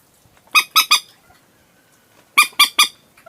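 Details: Common moorhen call played as a night lure: two bursts of three harsh, nasal squawks, each burst quick and evenly spaced, about two seconds apart, with a quiet background between them.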